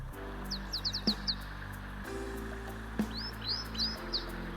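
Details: African Pied Wagtail singing from a bridge over a small river in Kakamega Forest tropical rainforest, Kenya, in the morning: a run of quick, high chirps, first falling, then rising slurs, over background music.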